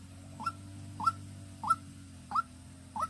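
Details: Decoy white-breasted waterhen, Vĩnh Long, Vietnam, close and fairly loud: five full rising notes with a brief hooked ending, spaced about every six tenths of a second, over a soft hum.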